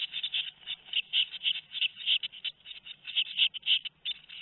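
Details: Two-week-old tit nestlings on 13 May 2019 give a dense, fast stream of high rasping begging notes, several per second, pulsing in loudness throughout.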